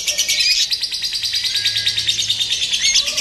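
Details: Lovebird being trained for a singing competition, singing a long, rapid, unbroken stream of high chattering chirps and trills, with fast pulsed notes running continuously and only brief squeaky whistles toward the end.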